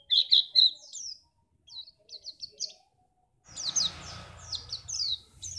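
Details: White-eye from Pacitan, kept to make other birds sing for contests: loud high chirps, then a short pause and a quick series of thin notes, before rough background noise rises under continued twittering.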